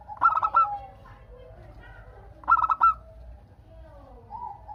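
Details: Local zebra dove (perkutut) singing so other doves respond; two rapid, stuttered coo phrases about two and a half seconds apart amid quieter overlapping cooing.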